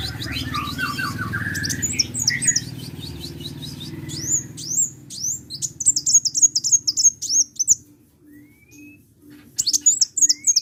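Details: Sunbird song emerging after a rustling, noisy start: crisp, very high chips and slurred whistles in quick bursts, a short quiet gap, then the twittering resumes.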